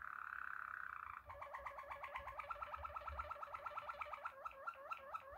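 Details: Klokkende song of a Waterslager Malinois canary: a soft hollow whistle, then a long series of fast, liquid, gurgling hooked notes repeated several times per second, like bubbling water. A faint background hum is present.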